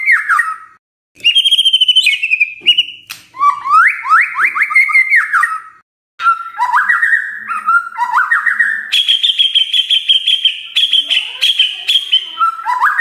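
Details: Song of a white-rumped shama, played to prompt other birds into singing: varied loud whistles, rapid rising slurred note series, buzzy trills and sustained high warbling phrases, with two brief silent gaps.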